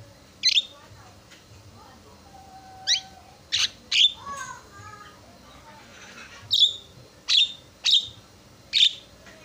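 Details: Javan myna song for provoking rival mynas: irregular sharp high squeaks and chips, some short whistled slurs and a low buzzy note in the middle, with a quiet pause before a closing cluster of squeaks.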